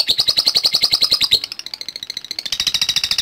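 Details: Lovebird reacting to a lure: a fast string of bright, high chirps. There is a short pause, then the ticking resumes more loudly.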